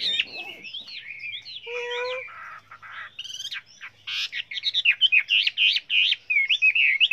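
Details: Chinese hwamei singing a varied song of many voices, offered for training other hwameis to sing well; loud whistled and slurred phrases, a brief lower harmonic honk near the start, then a fast run of rising-and-falling looping notes.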